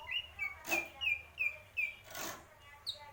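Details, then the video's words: Greater green leafbird singing mendem gadong style: a series of short slurred whistled notes repeated about three times a second, broken by two bursts of broadband noise, over a faint low hum. "cucak ijo purwo mendem gadong"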